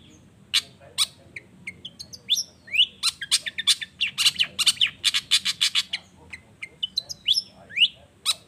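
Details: Long-tailed shrike pouring out excited song: rapid harsh, scratchy bursts interspersed with rising whistled upslurs, building into a dense chattering run before slowing again.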